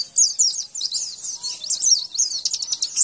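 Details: Continuous high-pitched white-eye song played to prompt caged birds to sing: dense, fast chattering of sharp, sliding chirps with no break, ending in a quick stuttering run.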